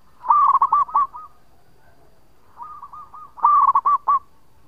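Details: Long-voiced local zebra dove, kept as a lure, sings rolling phrases of rapid, ringing coos. A soft run of notes leads into a loud stuttering burst, repeated twice in quiet surroundings.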